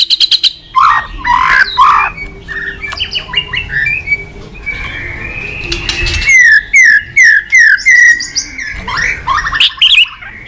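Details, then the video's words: White-rumped shama in full song, used to tutor other shamas: a varied stream of whistled notes, rattles and rapid repeated chips, loud and shifting in pitch, with a brief quieter stretch mid-phrase. "Masteran burung MURAI GACOR bagus buat Pancingan MURAI BAHAN"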